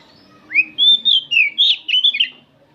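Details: Several oriental magpie-robins singing in the afternoon, used as training song. A rising whistle opens into a quick string of about seven clear, warbled whistled notes that switch pitch up and down, with faint low background noise.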